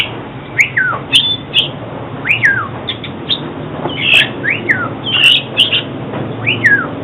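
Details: Oriental magpie-robin song meant for trapping and training birds to sing: repeated loud downslurred whistles, each falling sharply, mixed with short chips, spaced about a second apart over a low background hum.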